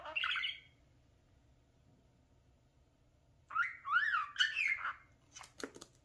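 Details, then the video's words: A talking parakeet playing before a mirror gives one harsh squawk, falls silent, then delivers a wavering whistled warble with rising and falling notes, followed by clicks. "Come here, mirror obsession the talking @parakeet"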